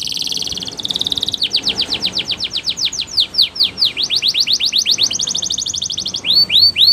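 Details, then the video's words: Canary singing Spanish Timbrado training song: a buzzy opening roll, long series of quick rising and falling strokes, a rapid rattle, then a few clear upswept whistles. "Canary's Most Powerful Song For Training"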